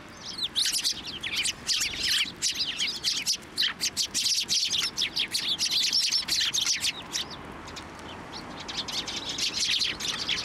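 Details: A flock of sparrows at a Tenmangu shrine clusters on a hand for food in March 2024, chirping in fast, high, overlapping runs that fade briefly before resuming.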